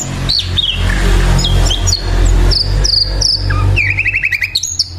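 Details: Hill Blue Flycatcher song under a loud low droning background: scattered high whistled slurs and short descending notes, ending with a quick buzzy trill of repeated notes.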